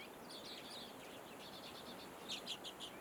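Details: Common redpoll calls: a run of quick, high twittering notes that fades, then a few louder, separate chips near the end, over soft background noise.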